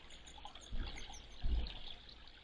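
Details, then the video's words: Grey wagtails in a territorial fight give a rapid, unbroken series of high, thin, hooked notes, with two dull knocks and the steady murmur of flowing water. "Grey Wagtails Fighting"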